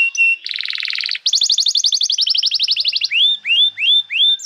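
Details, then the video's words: Canary song used for training young birds and reviving quiet singers: a short piping note, a dense buzzy roll, a long rapid trill, then four rising hooked whistles spaced about every half second. "Pancingan Suara Kenari Gacor‼️ Ampuh untuk Masteran Kenari Muda dan Terapi Kenari Macet Bunyi"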